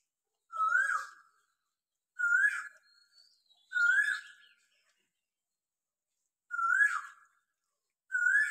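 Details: At daybreak in Dinajpur town, one Asian koel calls without pause near a balcony, giving clear upslurred whistles in a steady series, roughly one every one and a half seconds, with a short gap before the last two notes.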